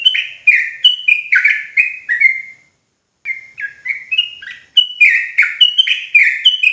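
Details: Loud, rapid song of a trucuk jawa (sooty-headed bulbul), meant to make other bulbuls join in rapid ropel singing. Rich, throaty whistles tumble down in quick sequence, with a short pause before a second burst.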